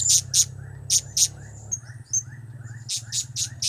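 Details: Blue-crowned hanging parrot in the cap, kiak, crap calling style. Shrill high notes come in pairs, a quieter pause holds faint chirps, then a run of five rapid piercing calls.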